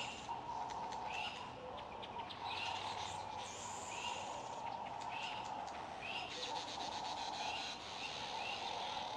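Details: Red-billed wood hoopoes feeding their chicks: short, harsh mid-pitched notes repeated roughly every second, with a steady low hum running underneath throughout.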